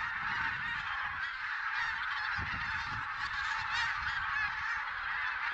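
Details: Huge goose gathering in Silesia, counted 11–13 November 2016 and perhaps containing Barnacle, White-fronted, Greylag and Bean Geese: ceaseless massed cackling honks forming a dense, even din.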